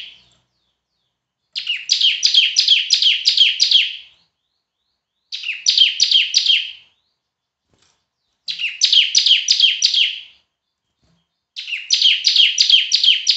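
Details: Loud, semi-active singing by a bar-winged prinia (ciblek): four bursts of rapid, regularly repeated, high descending notes, each lasting about two seconds, separated by short silences.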